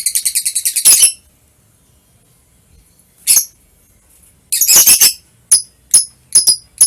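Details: Lovebird calls recorded on 21 March 2023: a burst of rapid buzzy chatter, a pause, then scattered sharp high squeaks and short harsh chirps.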